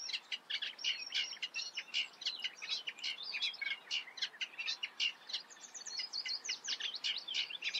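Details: Lively, grating song of a Eurasian reed warbler, with rapid repeated chirps and rasps running on without a break and a brief higher whistled run partway through, over faint ambient noise.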